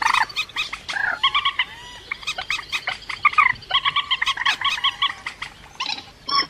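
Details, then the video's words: Rail calls for luring birds into traps: a long series of evenly spaced, reedy nasal notes in rapid groups, broken by a few harsher squeals and thin rising slurs. "Tiếng cuốc biển chuẩn"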